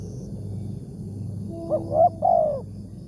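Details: Spotted dove targeted in a morning trapping session, praised for a big 'tarik akar' voice: one coo phrase late on, a soft stuttered double note then a longer downward-sliding coo, with a brief low tone and steady rumble.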